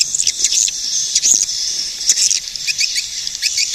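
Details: Scattered high, thin swiftlet squeaks and brief twitters with short gaps between bursts.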